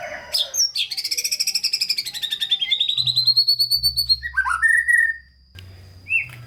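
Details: White-rumped shama song to spur lazy shamas: a long, rapidly pulsed buzzy trill that rises and slowly falls, then scattered sharp whistled notes, with a low hum underneath.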